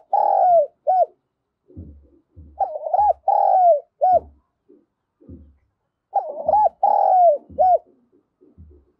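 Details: Lure spotted dove calling to provoke rival doves, in the Vietnamese "thổ sấm" voice style: repeated cooing phrases of short hooked notes and a longer falling coo, with low dull thumps between phrases.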